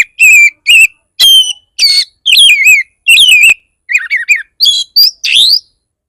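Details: Oriental magpie-robin singing fierce 'bar bar' style lure song to provoke other magpie-robins: dense run of loud, high whistled notes, some slurred and warbling, others clipped, with short gaps between phrases.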